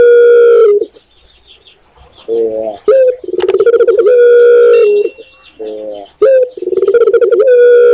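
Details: Indonesian tekukur, or spotted dove, with a long flat coo fading out, a soft low note, then a new phrase of rising note, rapid pulsing purr and steady drawn-out tone, repeated again.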